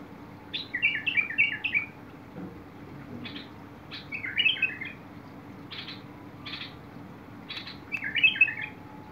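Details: Bulbul song dated 21 August 2022: three rich, bubbling warbled phrases spaced a few seconds apart, each mixed with scratchy buzzing notes, against a quiet humming background.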